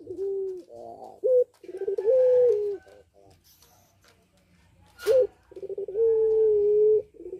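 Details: Caged puter pelung, a long-cooing Barbary dove, in breeding condition and singing actively: low, drawn-out coos that hold level then slide down, with short burry notes between them and a brief sharp knock near the end.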